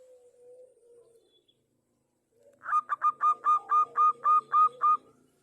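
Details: Local zebra dove, a prize-winning bird used as a lure to make others sing, delivers about ten evenly repeated, clear ringing coos after a low faint hum, with a soft underlying drone.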